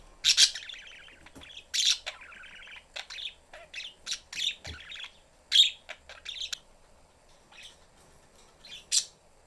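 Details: Budgerigar family in a cage, the young bird looking for attention; strong sharp chirps and harsh squawks in uneven bursts, separated by quieter twittering and brief clicks.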